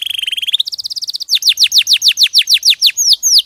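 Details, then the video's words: Champion canary song for bird training, a rapid low rising trill, a quick buzzy rattle, then a steady series of bright downslurred notes about five per second and two looping whistles. "MASTERAN KENARI JUARA !!! MASTERAN KENARI SUARA JERNIH HD"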